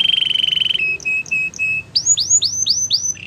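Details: Canary singing a varied tour sequence: a steady buzzy trill, then short flat whistled notes with soft chips, then loud rising-falling swept whistles repeated rapidly, ending on a low rattle.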